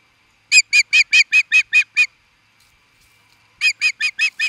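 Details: Osprey reacting to an intruder in Charlo, Montana, USA: a fast series of eight high, even chirping whistles, a pause, then six more chirps at the same quick pace, in otherwise quiet surroundings.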